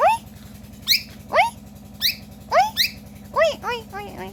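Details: Pet parrot talking indoors, giving short arching, harmonic-rich syllables in quick bursts, some sharply rising, about eight utterances in four seconds, over a steady low mechanical hum.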